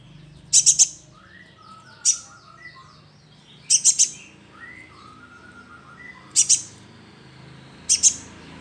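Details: Young sunbird calling, used as a lure: sharp, very high chips in tight clusters of two to four, with quieter softer notes between, repeating about every one and a half seconds.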